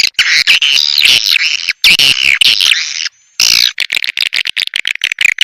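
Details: Lure call for drawing in swiftlets: loud chattering twitters with sweeping chirps, a clean gap near three seconds, then choppy bursts of short chirps toward the end.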